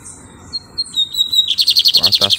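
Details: Lined seedeater (bigodinho) song: a few thin high whistles sliding downward, then a fast buzzy trill of rapid pulsed notes, bright and metallic, ending the phrase.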